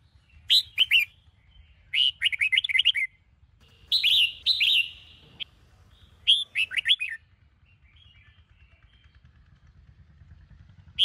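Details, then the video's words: Caged red-whiskered bulbul of the Sông Kôn type in a morning song-training session, giving several bursts of rapid bright warbled notes and a few longer slurred whistles, separated by short pauses. "Chào Mào Sông Kôn - Luyện Giọng Hót Hay | Luyện Chào Mào Bổi Hót Sáng"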